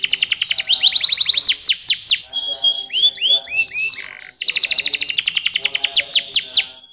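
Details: Canary song in varied phrases: a fast high trill, a run of sweeping downslurred whistles, lower rolling bubbly notes, a brief pause, then another rapid pulsed trill with sweeping notes.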